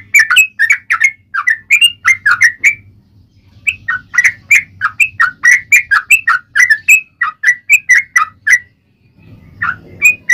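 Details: Yellow-vented bulbul delivering a rapid, long-running fighting song, called 'ropel panjang': chains of bubbly, slurred chirps with a short pause near the start and a quiet hum underneath.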